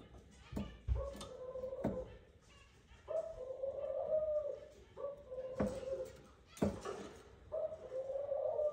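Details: During courtship, a male Eurasian collared dove calls his mate to the nest with a series of long, steady coos, four in under nine seconds, broken by loud sharp clicks and rustling.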